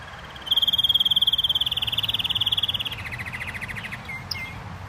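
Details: Canary song: a loud, fast, even trill that drops to a lower, buzzier roll after about two seconds, then fades into a few soft chirps.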